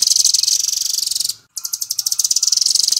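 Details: Velvet-fronted nuthatch in 'nembak' full-speed song, recorded as a tutor for songbird training: a dense, high-pitched rattling trill of quickly repeated notes, broken by one brief gap and then resuming.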